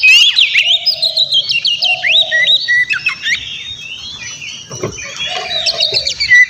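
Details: White-rumped shama song meant to provoke a rival into responding: fast whistled and chattering phrases, loud at first then quieter mid-way, with a low steady hooting note repeated in the background three times.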